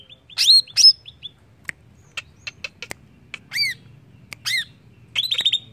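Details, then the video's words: Greater green leafbird singing, played to stir other birds into song: scattered sharp ticks and clicks broken by loud upward-sweeping whistled notes and a closing burst of fast high chirps. "Cucak ijo langsung bunyi dengar ini!!"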